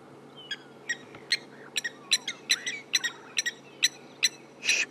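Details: Lapwings on an August 16 sunrise safari drive give sharp, strident calls about twice a second over a low steady hum, loud enough to mask a nearby lioness's contact calls.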